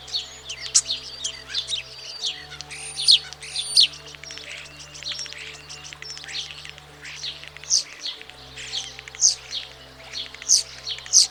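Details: European Starling courtship song from the mating season: rapid clicks, crackles and high thin whistles in a jumbled, varied stream, with a faint low drone throughout.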